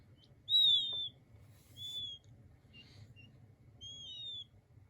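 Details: Chicks of king quail making a long high whistled peep followed by softer, shorter whistles and a faint rustle, over a low steady hum.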